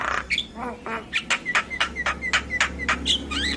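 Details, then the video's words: Javan myna song meant to draw silent mynas into singing: a quick string of short harsh notes, each with a brief clipped whistle, repeated about four times a second over a steady low hum. "PAncingan Burung Jalak Bisu Jalak MAlas Bunyi Dengan Suara Jalak Kebo Full isian"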